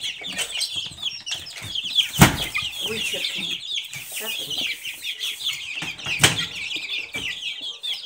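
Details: Silkie chicken chicks chirp constantly in shrill, closely packed notes, broken by a couple of sharp knocks or wing-flap thuds.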